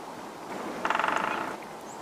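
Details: Grey-headed woodpecker at a lard feeder in Titovsky pine forest, Shebekino, Belgorod region, Russia, during the courtship season. A rapid harsh chatter of about fourteen nasal pulses lasts under a second, with faint forest background.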